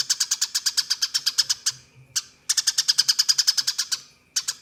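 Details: Eurasian tree sparrow delivering a rolling fighting song for training contest birds: two extended runs of rapid, evenly paced high chips, about six per second, with a short quiet gap between them.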